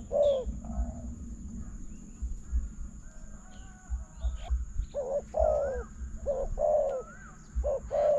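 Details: Spotted dove during decoy trapping, calling to a decoy bird near a newly introduced trap. Short mellow coos, bending downward, come in bursts with a long quiet gap. A steady low rumble lies underneath, and faint chirps sound above.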